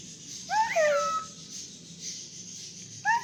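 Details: Singing pet cockatiel gives a short wavering whistle phrase, then pauses and starts another. A steady high hiss and a low room hum fill the background.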